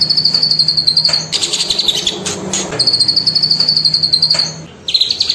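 A cililin gives a fast, high, rattling trill of rapidly repeated notes in long runs, broken by brief bursts of harsher noise and a low background hum.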